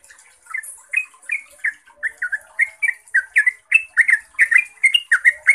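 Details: Yellow-vented bulbul (Pycnonotus goiavier) song, a long, clear trilling used as a lure for other bulbuls: a rapid stream of bubbly, chuckling notes, about three per second, rising and falling in pitch, over a faint high hiss.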